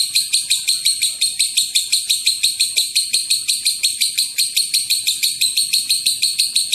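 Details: Extended lovebird ngekek used to stir other lovebirds into calling; roughly twenty sharp, scratchy high chirps in a fast even rhythm throughout.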